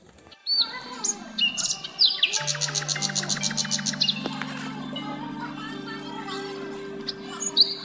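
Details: A female myna in the morning gives sharp whistles and a fast, harsh chattering burst, then scattered squeaky notes over a steady low humming tone; myna.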